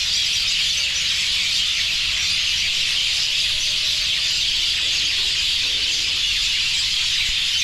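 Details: Large bird flock at a roost where droppings have whitened the ground below, producing a dense, unbroken wash of high chirping with faint lower tonal sounds underneath.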